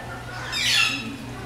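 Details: Captive Golden-breasted Starling (Lamprotornis regius) at a zoo in Milwaukee, Wisconsin, USA, while preening, gives a single harsh, scratchy squawk under half a second, high-pitched with a brief whistled edge, over a faint low hum.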